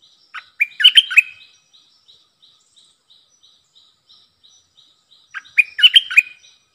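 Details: A decoy streak-eared bulbul, used to lure wild birds and coach young ones, delivers two bursts of rapid chirpy notes several seconds apart, with soft regular high ticking in the gap.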